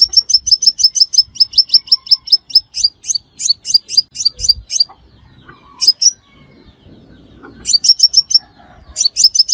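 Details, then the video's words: Crimson sunbird calls played as a lure for trapping birds: rapid runs of sharp, high, ticking chirps, about four or five a second, in bursts broken by short pauses, over a quiet, clean background. "Tiếng Hút Mật Xác Pháo Mồi Chuẩn Không Tạp Âm"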